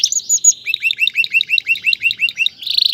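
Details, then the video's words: Canary male singing to stimulate a female to breed and build a nest: a few high whistles, then a steady series of repeated hooked chirps about five per second, ending in a buzzy trill. "اقوى تغريد ذكر الكناري لتجهيز انثى الكناري للتزاوج و تحفّزها على بناء العش CANTO CANÁRIO"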